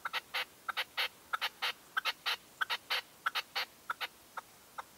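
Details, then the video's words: At dawn in 2023, a decoy red-legged partridge gives an insistent rhythmic chuckling call. A quick sharp note leads into a broad rasping burst, the pairs repeating steadily, with a few notes trailing off at the end. "PERDIZ CON RECLAMO 2023"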